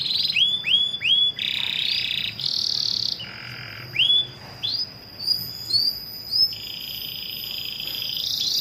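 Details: Atlantic canary, a female calling her male: bursts of bright rising whistles and short buzzy held notes, then a run of upslurred high chirps, with a constant thin electronic tone behind.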